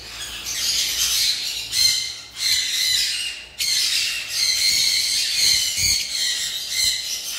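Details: Lovebirds at a bird farm, many birds squawking together in a harsh, high, continuous chatter that drops briefly twice before resuming, with a low thump near the end.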